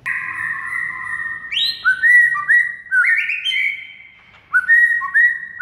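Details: White-rumped shama masteran song to make a quiet shama sing: a held whistled phrase, a high swoop, stepped whistled notes, a short pause, then more crisp rising whistles.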